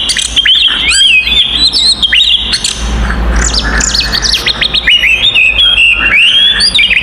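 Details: Oriental magpie-robin singing its fighting song to provoke other magpie-robins; fast, sharp chirps and whistled slurs, dense and bright, with a brief rougher, noisier stretch midway before the clear whistles return.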